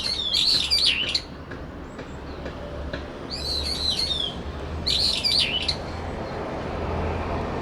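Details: Brown-eared bulbuls quarrelling over territory in a cherry tree, late September: three harsh, wavering high phrases follow one another quickly, over a steady low rumble in the background.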